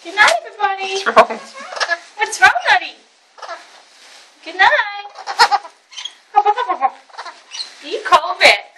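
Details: A male pet Alexandrine parakeet, in his bedtime chat before his enclosure is covered, chatters in short, speech-like bursts of raspy, harmonic syllables, some rising or falling, with brief pauses between phrases in a quiet room.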